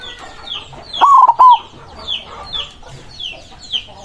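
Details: One loud, rolling coo phrase from a white zebra dove singing eagerly to call up rivals, made of a drawn-out note and two quick coos, while small birds keep chirping high and fast in the background.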